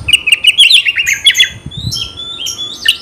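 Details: Oriental magpie-robin song for provoking a fighting response: rapid repeated chirped notes, then drawn-out high whistles, over a faint low rumble.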